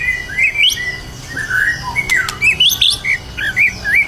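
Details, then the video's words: Indonesian White-rumped shama, ready for contest, sings clear ringing whistles: rising sweeps and fluted slurs, then a rhythmic string of short looping notes repeated roughly every quarter second. "murai batu gacor siap untuk di lombakan"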